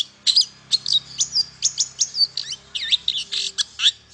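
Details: Long-tailed shrike song played to rouse silent shrikes. Busy, high-pitched twittering of clipped chirps and short whistles follows in steady rapid succession over a soft low hum.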